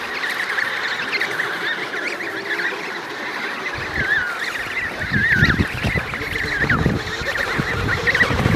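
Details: Emperor penguins at the Davis Sea, an adult pair with their chick, give overlapping trumpeting, warbling calls within a dense colony chorus, with low wind or handling rumble in the second half.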